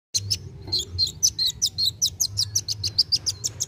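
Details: Kolibri wulung sunbird in full, lively song, used to spur young birds to sing: a fast run of sharp, high, thin chips and short trills, repeated without pause, over a faint low hum.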